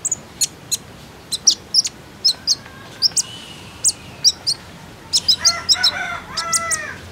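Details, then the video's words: Common iora lure call for getting a captive bird to sing: sharp high chirps repeated at uneven intervals, with lower harmonic rasping calls joining near the end. "KONIN IJOAN ANDA PASTI IKUTAN BUNYI, PANCINGAN TERCEPAT JADIKAN KONIN BAHAN RAJIN BUNYI"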